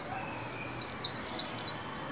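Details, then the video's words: Caged white-eye being trained to sing for the new year, giving a short run of four quick high slurred notes, each falling in pitch, over a soft background hiss. "Vành khuyên líu hay đón mừng năm mới 2021!"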